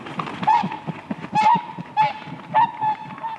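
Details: Whooper swans dancing on lake ice in spring: short nasal honks repeated roughly every half second over a steady clatter of knocking, scuffling sounds.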